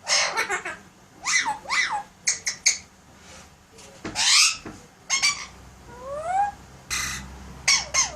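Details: Alexandrine parakeet kept as a pet, talking and imitating sounds: a busy run of short chattering syllables, squawks and clicks, with a rising and falling whistled slide near the end, over low indoor hum.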